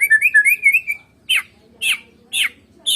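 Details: White-rumped shama of the Medan type singing with no rival present: a run of quick slurred whistled notes, then four sharp descending chip notes spaced about half a second apart.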